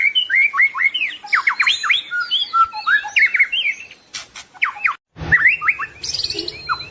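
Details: Murai batu (white-rumped shama) singing a full-isian masteran tutor song. Dense, varied whistles, upslurs and downslurs and quick chipping notes pour out continuously, pause briefly, then resume with more bright whistled phrases against a faint low hum.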